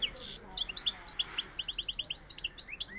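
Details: Song of a European goldfinch of the Sevillian style, a lively run of clear high chirps and twitters repeated several times per second, opening with a short harsh buzz.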